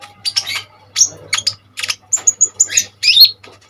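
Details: Brief burst of Common iora song used for tutoring other birds: scratchy high chips, a few clear level whistles in a row, ending with a bright twisting whistle, over a low hum.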